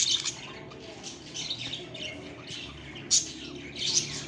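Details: A group of pet budgerigars chatter in a steady stream of high, scratchy chirps and squeaks while interacting with each other and their human companions.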